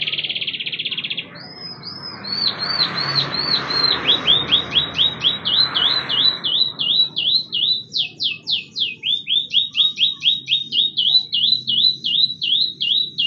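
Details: Canary song played to prompt other canaries to sing, used as a lure for young canaries and silent birds: a brief rapid trill, then a long series of looping whistled notes repeated steadily, each rising and falling sharply.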